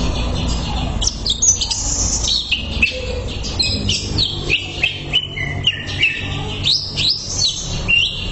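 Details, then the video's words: Greater green leafbird song from a masteran, a tutor recording for conditioning kept birds: rapid varied whistles and slurred notes, rising and falling sweeps tumbling without pause, with a low steady hum underneath. "MASTERAN CUCAK IJO"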